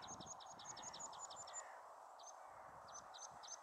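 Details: Meadow pipit at Bossche Broek, 22 March 2017: quick runs of thin, high, sipping notes, about eight in a burst, then a pause and a sparser few, over steady wind or distant traffic hiss.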